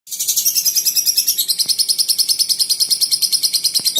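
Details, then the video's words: Lovebird in continuous song without a break: a very high, buzzy stream of shrill chirps pulsing about three times a second, steady and unbroken throughout. "Burung love bird durasi 2 menit tanpa putus!!"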